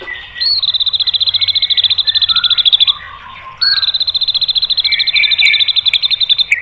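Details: White-rumped shama singing to draw other birds into song: two long machine-gun trills of rapid high repeated notes, each opening with an upward flick, separated by lower whistled and buzzy fragments.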